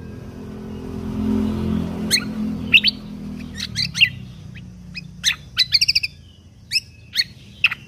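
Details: Lesser green leafbird in full "tembakan" song, meant for training contest songbirds: scattered sharp chirps and a quick rattle of five clipped notes, over a low rumble that fades early on.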